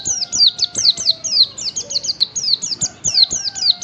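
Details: Morning song of a wild, yellow-chested Oriental white-eye, used to coax other white-eyes into singing. A continuous string of sharp, high descending chirps tumbling quickly one after another, over a faint steady low tone.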